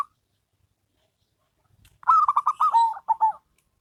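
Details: A single zebra dove phrase from a duet between local and crossbred birds. It is a rapid run of clipped coos, higher at first, then dropping slightly and ending in two detached notes after a brief silence.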